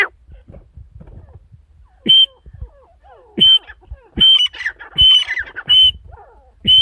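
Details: Female partridge calling loudly: separated harsh notes, each topped with a clear high whistled tone, repeated roughly every second, with softer chattering notes between.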